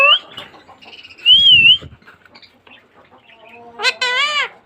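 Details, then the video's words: Pet green parrot whistling a wavering, high tone, followed by soft scattered chatter and ending in a loud, arched, voice-like phrase. "talking green parrot"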